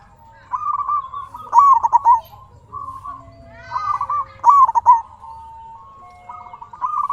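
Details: Zebra dove, local, sings in order to prompt other doves to call back. Two emphatic phrases of rapid, bent coos stand out over a steady background of soft, trilled cooing.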